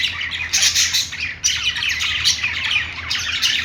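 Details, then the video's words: Playing budgerigars give rapid overlapping chirps and warbles in two loud waves separated by a brief dip, the chatter dense and high-pitched. "budgies playing sounds | parakeet chirping sounds"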